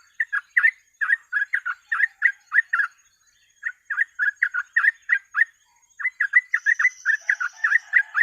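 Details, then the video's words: Sooty-headed bulbul (trucuk) giving lively 'gacor ropel' song for a lure recording: three long runs of quick, slurred chirping notes separated by short gaps, with a thin steady high whistle entering near the end. "TRUCUK GACOR ROPEL MASTERAN PANCINGAN BURUNG TRUCUK"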